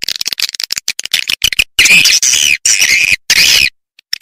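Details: Lure recording of edible-nest swiftlets for drawing birds into bird houses: scattered short chips give way to long, loud, rasping twittered calls with falling and rising tones.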